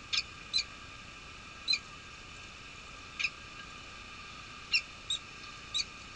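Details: Peregrine falcon at a nest holding at least one egg, Nottingham Trent University, UK, during unusual snowfall on 23 March 2013 as the male relieves the female; a few spaced, short, sharp chip calls, some in pairs.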